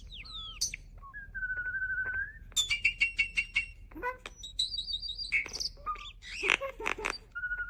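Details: Starling said to sound like a human gives a varied medley of sounds: a level whistle, rapid buzzy ticking notes, high squeaks and harsh noisy bursts, mixed and changing every second or so.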